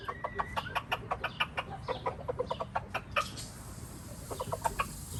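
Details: Red junglefowl in Laos giving a rapid series of short, sharp clucks, roughly five per second, with one brief whistled note near the start and steady background hum.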